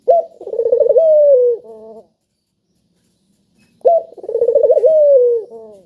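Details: Spotted dove cooing as a lure to set lazy doves calling: two mellow, wavering coo phrases about two seconds long, each rising into a quick trill of pulses and ending on a drawn-out falling note, with a pause between them.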